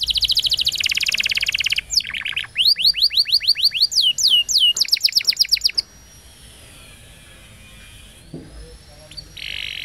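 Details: Canary song, recorded for training young canaries. A buzzing trill runs into a rapid string of sharp upswept whistles, then fades to near silence with a thin drawn tone and a final buzzy burst.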